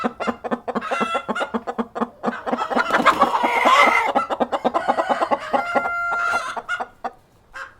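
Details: Hens and cockerel clucking on a farm, a dense, fast run of short clucks, about three per second, with a louder rough drawn-out squawk in the middle and a held, steady tone near the end.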